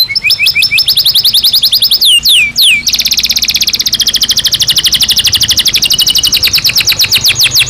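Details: Singing Belgian canary, loud high rolling trills of rapid repeated notes, a few deep swooping slurs in the middle, then a long even fast trill to the end.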